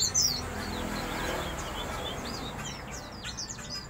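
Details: Prospek bird from Banyuwangi, warmed up and fed four Hong Kong caterpillars, gives quick, rough, high chirps and twitters, scattered and faint over a steady hiss of background noise.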